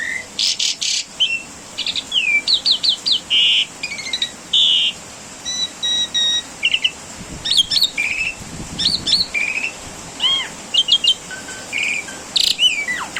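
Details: Asian pied starling master song for training caged birds: a long medley of harsh chattering bursts, sliding whistles, buzzy notes and looping upslurred calls, delivered in short separated phrases.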